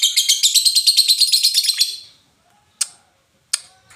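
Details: Indonesian lovebird in ngetik, ngoek and ngekek style: a rapid, high-pitched rattling chatter of evenly pulsed notes for about two seconds, then silence broken by two sharp, isolated ticks.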